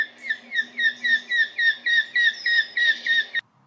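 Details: Eurasian hobby, a UK summer migrant, giving its fast kew call: a rapid run of about thirteen sharp, ringing, slightly downslurred notes, nearly four a second, over a faint low hum.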